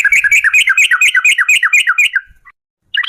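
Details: Sooty-headed bulbul, long 'ropel panjang' singing style, meant as a lure to make birds sing: a rapid string of around a dozen chirping, down-slurred notes lasting two seconds, then silence and a short new start.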